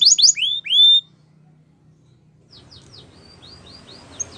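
A Belgian canary opens with a loud burst of high, down-slurred whistles, then after a pause gives a softer, rapid run of short sliding notes.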